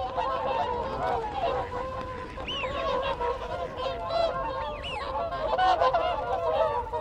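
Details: A group of whooper swans keeps up a steady chatter of nasal, bugling contact notes. Wigeon give arched whistles and Canada geese honk in the background.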